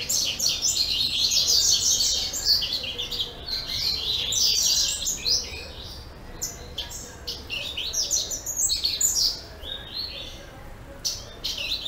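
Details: Captive-bred double-collared seedeater, 10 April 2014, delivering a long stream of high, fast chirps and scratchy trilled phrases, broken by brief pauses and then resumed in dense bursts.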